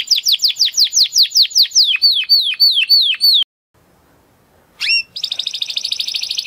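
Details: A Spanish Timbrado canary, recorded as song material for other cage birds, sings a fast series of high, down-slurred whistles, then after a pause a sharp note and a rapid bubbling trill.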